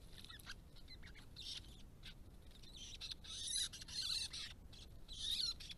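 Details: Querulous scolding of White-browed babblers near a pond ringed by native grasses and open understory; rasping, noisy bursts that build to louder churring squawks in the second half.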